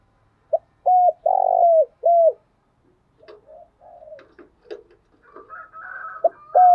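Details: Spotted dove with a thick 'thổ đặc' voice cooing in the morning. One full phrase of a short note and three low coos, the middle one drawn out. Scattered softer coos and faint chirps follow, then another coo begins.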